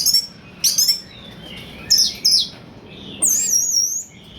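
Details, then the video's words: Orange-headed thrush song, played to draw other birds into singing; separated high whistled notes and chirps with gaps between, closing in a long wavering, warbled high phrase. "Anis merah pancingan teler"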